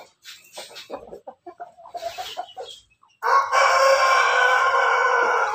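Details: Backyard Pelung–Bangkok cross chicken: after a stretch of soft clucking, a loud, long, sustained crow with rich ringing harmonics starts around three seconds in and holds steady to the end.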